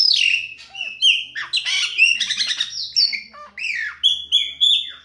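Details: Chopi blackbird song with long whistled notes, chattering buzzy bursts and a series of repeated clear whistles near the end, loud and varied.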